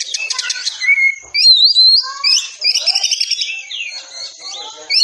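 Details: Caged Oriental magpie-robin training song: fast buzzy trills opening into varied whistles, rising and falling slurred notes and a sustained high tone, delivered continuously.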